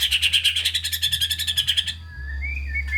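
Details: A white-rumped shama's rapid buzzing rattle, notes repeated many times a second, breaks off after two seconds into soft thin whistles; used as a lure to get sluggish shamas singing. Steady low hum.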